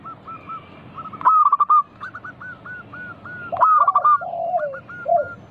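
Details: Zebra dove of a local strain, its song serving as a lure to make other doves call. Two loud clipped coo phrases arrive about two seconds apart, separated by evenly spaced soft notes, with lower slurred coos from other doves.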